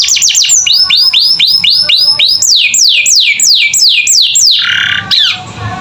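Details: Canary tutor song for young captive birds: a brisk series of upward-curving notes turning into long falling whistled sweeps, ending in a short harsh buzzy burst.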